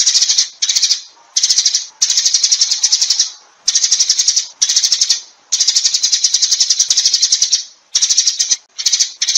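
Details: Sparrow gathering the flock with bursts of rapid, high, rattling chirps, each burst lasting from under a second to two seconds, separated by short silences.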